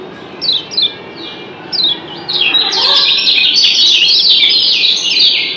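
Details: Answering calls of the kecial kuning white-eye of Lombok, a double-chirp lure style. Spaced, high descending chirps open the clip, then a loud, continuous twittering chorus of overlapping, rapidly repeated sharp notes.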